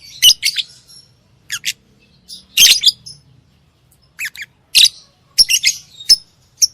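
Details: Dense, scratchy chirping from a lovebird: loud, harsh bursts and quick double notes with little quiet time between them.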